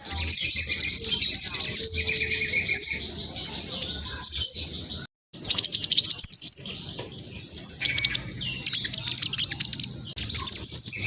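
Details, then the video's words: Black sunbird, spotted 'trotol' type, in fast, busy full song: dense bursts of very high, thin chirps and sharp trills running in rapid runs, with a brief silent break midway and a lower chattering phrase at times. "Kolibri blacksunbird trotol speed cepat semua burung akan ikutan nyaut respon"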